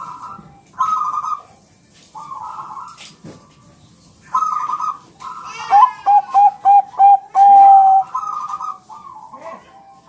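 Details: Bangkok-type zebra dove song used as a training recording to make caged birds reply: bursts of soft cooing near one kilohertz, then a run of six quick staccato coo notes ending in a long held tone, with faint background chatter.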